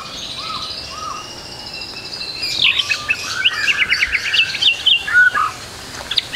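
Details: White-rumped shama, tutor song for juveniles, opening with soft low whistles, then breaking into a loud burst of sharp high chips and a brief clear whistle.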